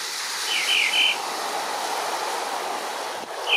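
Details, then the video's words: Mockingbird in the morning giving a short warbled, chirpy phrase of quick high notes lasting about half a second, then a single note at the very end, over a steady rushing background like surf or wind. "Morning Sounds - YanTen Mockingbird"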